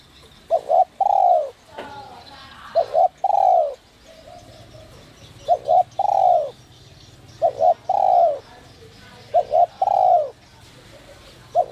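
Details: A spotted dove in whistle-voice ('giọng còi') style, meant to excite wild doves into calling, repeats its phrase five times: a short double note, then a long, slightly falling coo, about every two seconds. Soft high chirps sound behind.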